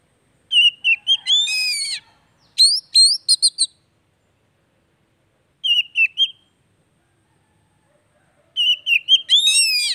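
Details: Oriental magpie-robin (kacer) song played as daily therapy for a bird that has stopped singing; four bursts of quick whistles and stuttered notes, some ending in rasping flourishes, with gaps between.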